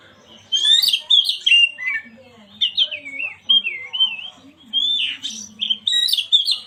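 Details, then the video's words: Oriental magpie-robin (kacer) song used as a lure to stir a silent bird into singing: quick bursts of bright, wavering whistles and slurred notes, some rising and falling, with short gaps between phrases. "Pancingan burung Kacer yang macet bunyi"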